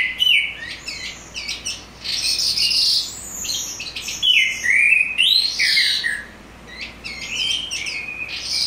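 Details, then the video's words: Song of a calandra lark, used to prompt other larks to sing back: rapid varied chirps, rising and falling slurred whistles and scratchy trills, delivered almost without pause over a faint low hum. "calandra lark, sangat cocok untuk pancingan pakling maupun lark agar respon bunyi"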